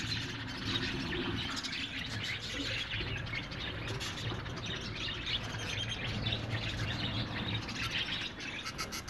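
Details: Colony of budgerigars giving continuous overlapping chirps and squawky warbling, a busy flock chorus over a low droning background hum.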